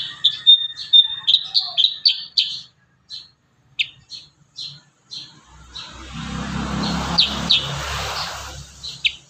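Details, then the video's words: Kurincang in lively varied song for training other birds: a rapid string of sharp, high chirps that slows into spaced single notes, then a broad rushing noise with a few chirps above it. "Masteran terbaru burung kurincang gacor isian"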